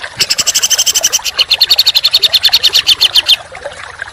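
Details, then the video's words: Songbird training recording for contest birds, in the dense, harsh 'tembakan' style: a rapid rattle of buzzy high notes, about four per second, running unbroken for three seconds before falling quiet. "Masteran Burung Kicau Tembakan Rapat dan Kasar"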